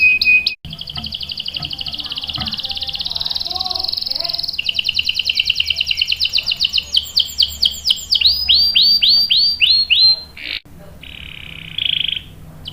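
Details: Canary performing a long rolling song meant for luring and tutoring young birds. Sustained fast buzzy rolls shift pitch several times, then break into a string of sweeping chirps. A brief gap follows, then a final trill.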